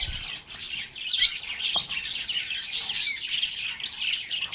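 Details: Happy lovebirds singing and chattering: an unbroken stream of bright, high, fast chirps and warbles from many birds, steady throughout.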